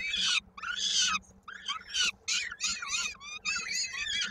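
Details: Peregrine falcon feeding at the Koszalin nest in Poland, 16 May 2022, with a chick's foot stuck in a beak. Loud grating cries come in dense, irregular bursts, some long and rough, others short and bending. A steady low hum sits underneath.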